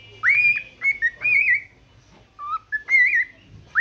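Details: Cockatiel kept as a pet whistles in the morning: rising swoops and short wavering notes, a pause, then lower level whistles and a closing upward slide.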